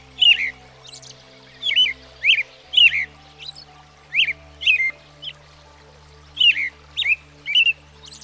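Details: American robin, a common backyard bird in the United States: clear, caroling whistled phrases, each a short rising-and-falling slur, repeated in pairs about every second and a half, over a steady low hum.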